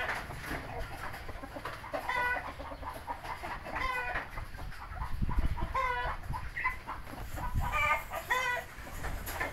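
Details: Rough, stacked squawks and clucks from three-month-old Indio Gigante chickens, repeated in uneven bursts about every second or two, with low rumbling noise underneath.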